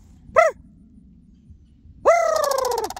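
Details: Sandhill cranes calling back to a person; a short arched note, a pause, then a long loud call that slides slowly downward.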